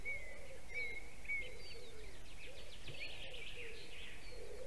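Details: White-tailed eagle at a nest in Durbe, Latvia, calling for a nest change at 7:45 pm on 11 April 2020: a steady series of short, arched yelping notes about three per second, with small birds chirping higher and a constant low rumble.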